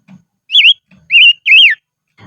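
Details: Singing silver-eared mesia used as a decoy on high ground: three loud, fluty whistles, each wavering and falling then rising, separated by short pauses with soft low clicks between.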